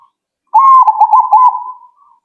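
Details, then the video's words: Zebra dove responding right away with one cooing phrase: a steady mellow note broken into quick rolling pulses, fading into a softer trailing coo after about a second and a half. "Burung Perkutut Kalian Langsung Nyaut..!!!"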